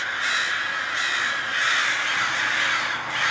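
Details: A massive swarm of crows at daybreak, swarming and diving: a dense, unbroken wash of overlapping harsh caws from many birds, loud throughout with no quiet gaps.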